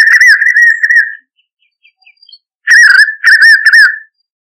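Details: White-naped xenopsaris singing in the caatinga: clear whistled phrases of warbling, slightly wavering notes, one phrase about a second long, then after a pause two shorter linked phrases.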